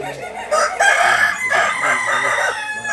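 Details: Balenggek chickens crow at a landiak-class contest in Ampang Kualo, Solok city, on a Sunday. A loud, sustained crow rings out after a brief cluck, with more roosters overlapping behind it.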